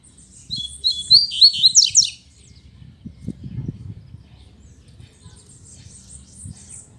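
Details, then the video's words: Caged pet double-collared seedeaters (coleiros) singing. The owner says their improved singing shows his care routine is working. A quick, very high, buzzy trilled phrase lasts under two seconds, then low knocks and a man speaking Portuguese follow. "OLHA O DESEMPRENHO DOS MEUS COLEIROS"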